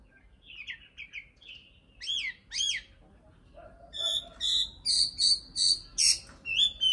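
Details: Common nightingale (Luscinia megarhynchos), song.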